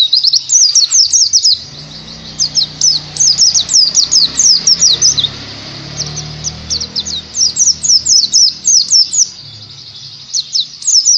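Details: Oriental white-eye trigger song for teaching ngalas: bursts of sharp, downward-slurred high chirps repeated in quick clusters, separated by short gaps, over a steady low background hum.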